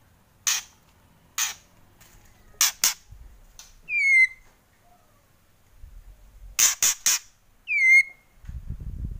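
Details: Loud kretekan from a white-rumped shama: dry clicks, single and in quick runs, each separated by a clear downslurred whistle, with low rumbling handling noise near the end.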